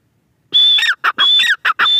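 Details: After a silent start, a grey francolin bursts into loud whistled notes followed by harsh, ringing syllables, repeated twice in quick order.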